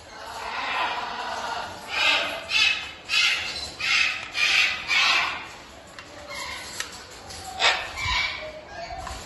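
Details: Macaws playing with a carousel toy in captivity give harsh, grating squawks, first in a quick run of about six, then more scattered, with faint room noise in the background.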